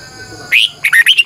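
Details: Red-whiskered bulbul morning lure song, long twisting double voice: a loud rising whistle followed by a rapid string of four or five rolling warbled notes.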